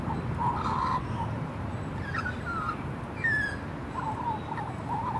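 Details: Warbled thank-you song from a juvenile female magpie: scattered short whistles and gurgles, one sliding downward note near the middle, over constant low rumbling noise.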